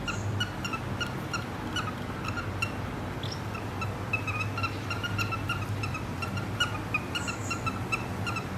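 Cockatiel whistling a steady, clear tune with short warbled phrases over a low room hum.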